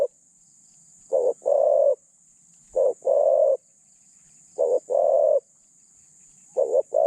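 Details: Spotted dove used as a decoy to lure and catch wild doves, with a mid-pitched voice and light cooing style. Low hollow coos come in pairs, a short note then a longer one, about every two seconds over a faint steady high hum.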